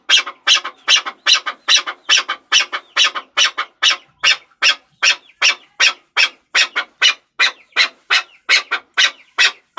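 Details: A chukar partridge (chakor) keeps up rapid harsh clucking, notes sometimes paired, about two and a half per second, loud and unbroken.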